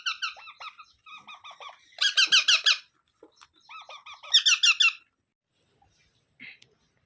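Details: Baby parrot giving bursts of harsh, buzzy rasping calls in rapid rhythmic series, louder squawking rounds alternating with softer chattering runs, then a brief final squeak; indoors, no other sounds.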